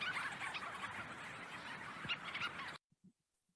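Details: Leach's storm-petrels calling at night at their burrow colony on Baccalieu Island, Atlantic Canada, to other birds there. Dense overlapping chattering and purring notes continue for almost three seconds, then stop abruptly into near silence.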